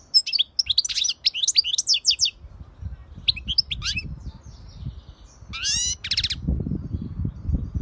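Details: European goldfinch singing a rapid run of liquid twittering notes, then a short pause, more chirps and a fast rising buzzy trill, over a steady low background rumble.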